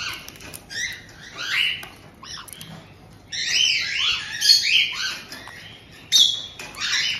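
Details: Resident pair of caged white-bellied caiques in Tokachi, Hokkaido, greeting a new chick just over two months old: scattered shrill squawks and chattering notes, quieter at first, then a dense burst of overlapping calls.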